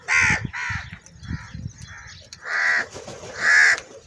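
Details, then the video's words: Many crows gathered and fighting for food: a run of hoarse caws, two quick ones, softer ones, then two long loud drawn-out caws, with rustling underneath. "Crow Bird Unity Anger And Sounds | Large Number Of Crows Ki Natural Awaaz And Fight For Food"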